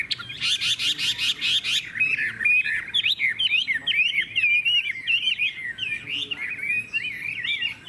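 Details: Caged Chinese hwamei kept in Vietnam singing in the loud hót hét style: a burst of rapid stacked buzzy notes, then a fast run of rich whistled phrases that twist up and down.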